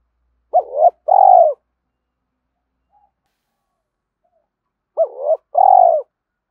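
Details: Spotted dove giving its luring call for other doves. Two identical phrases about four seconds apart, each a short double coo followed by a burred, slightly falling note. Near-silent gaps between them.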